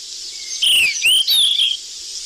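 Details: Golden flycatcher lure call: a quick run of three or four sliding whistled chirps, the notes rising and falling, over steady background hiss.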